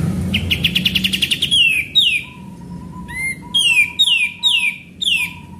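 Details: Sooty-headed bulbul in full song as a lure: a fast stuttering trill gives way to repeated downward-swept whistles, accompanied by a steady, level lower whistle underneath, with little other noise.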